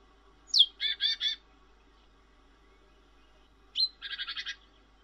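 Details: Cinereous tit, described as a loud, clear singer, giving two phrases: each opens with a sharp high downslurred note and runs into a burst of rapid harsh, buzzy chatter, three and then about five notes.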